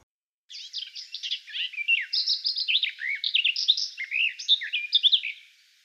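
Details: Garden Warbler at a Russian forest edge singing a long, unbroken run of rich, mellow warbling, quick and even-paced with no clear repeated phrases, for about five seconds; no other sounds stand out.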